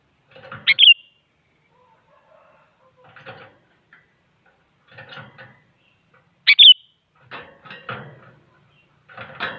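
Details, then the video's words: Active sooty-headed bulbul provoking rivals to sing, giving two short bright whistled phrases about six seconds apart, amid scattered soft clicking and rustling noises. "Suara Burung Kutilang Paling Aktif Memaksa Lawan Agar Bunyi Jadikan Kutilang Ikut Gacor"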